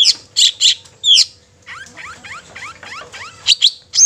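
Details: Long-tailed shrike singing a song meant to stir other shrikes into singing and agitation: sharp high chirps, then a run of quick rising slurred whistles, ending in more bright chirps.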